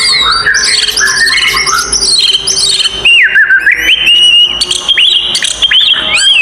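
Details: Oriental magpie-robin fighting song for provoking other magpie-robins: dense layered chatter giving way to clear whistled notes with dipping, wavering slurs and short bright phrases.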